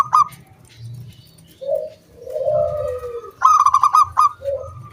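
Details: Local wild zebra dove singing vigorously, a lure song to draw other doves into calling, with a clear 'kung' style: low drawn coos around a rapid stuttering burst of bright, pulsed notes, then a final short coo.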